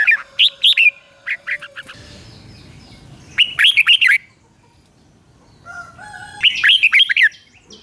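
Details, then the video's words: Red-whiskered bulbul, kept caged, singing a morning ché-style song for training. Short bursts of rapid chirping notes alternate with pauses, alongside a low steady tone and some faint rustling noise. "Luyện chào mào hót sáng, QUÁ HAY - CHÉ KÍCH BỔI CĂNG ĐÉT"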